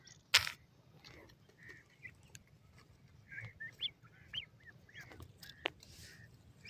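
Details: Grey francolin chicks at play give scattered short high chirps and brief rising notes, some sharper and louder, over a steady low hum, with one sharp loud click near the start.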